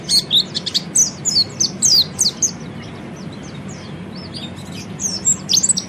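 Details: Oriental white-eye (peleci) training song in the ngeriwik style for ngeriwik and ngepelong; loud, high, slurred chirps in a hurried string, a quieter stretch of faint twitters, and a final flurry of sharp notes.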